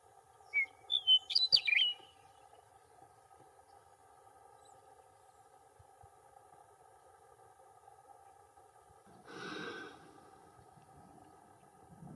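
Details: A meadowlark, just after bathing, gives a single brief phrase of clear, flutey slurred whistles lasting about a second and a half; a steady low hum runs throughout, with a soft rushing noise later.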